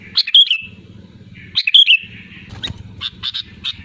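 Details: Sooty-headed bulbul singing loudly: two bubbly whistled phrases ending in a drawn-out slur, then a run of short clipped chirps, over a low background drone.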